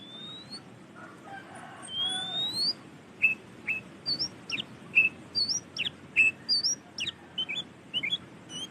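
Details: Oriental magpie-robin singing loudly and actively: sharp whistled notes and short upslurred and downslurred chirps in a fast, varied series, with a faint low rumble underneath.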